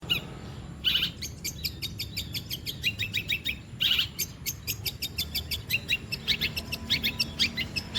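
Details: Long-tailed shrike in song imitating other birds and insects, delivering rapid series of short sharp high clicks and chips in rattling bursts, with two louder harsh notes near the start, over low background hum.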